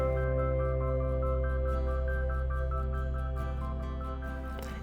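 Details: Soft, sustained new-age music with steady droning tones and a gently pulsing melody, and no animal voices.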